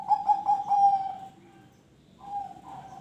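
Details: Zebra dove, the perkutut, singing ring tulus song to stir other birds into singing; a quick series of rolling coos merging into a sustained note, then a softer level coo.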